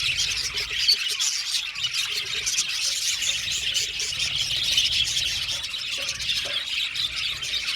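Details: A flock of blue male budgies produces an unbroken wash of high, buzzy twittering and fine chirps, with a few faint lower notes underneath.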